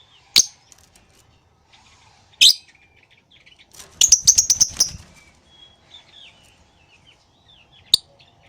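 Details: Lovebird calling freely: loud, piercing single shrieks spaced apart, then a rapid run of about ten harsh chattering notes over one second, with soft twittering between the louder calls.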